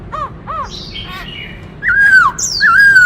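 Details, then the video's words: Black-throated laughingthrush in a singing-and-dancing display: two soft arched notes and faint raspy sounds, followed by loud, clear whistles that slide downward, then a high squeal and another bending whistle. "Khướu bạc má hót múa - Chim khướu hót đảo nhiều giọng hay kích bổi - Tiếng chim Khướu hót"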